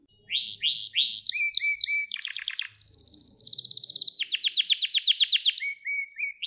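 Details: Gloster canary training song meant to excite males and teach young canaries: slurred notes and low whistles, a buzzy burst, then a rapid trill and repeated falling notes.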